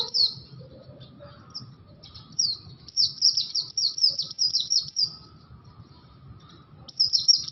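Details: Oriental white-eye, bustomi or buxto type, kept caged, singing an unusual sound: bursts of high, sharp, squeaky chirps strung in quick runs, separated by short quiet gaps, with faint low background hum.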